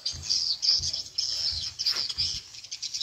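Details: Tripel Queen lure call for edible-nest swiftlets, played to attract the birds: bright, crowded high twittering chirps, with soft low thumps recurring about every 0.6 seconds.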